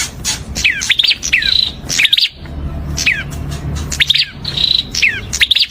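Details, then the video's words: Prinia in rapid chirping song: descending slurred notes in bursts, with a buzzy flat trill twice, separated by a pause of about a second. Soft low background hum. "Kicau Merdu Burung Perenjak"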